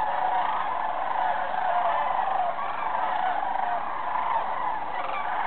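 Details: Sandhill cranes at Jasper-Pulaski on 1 November 2007: a dense, continuous chorus of rolling, overlapping calls from many birds, with no pauses.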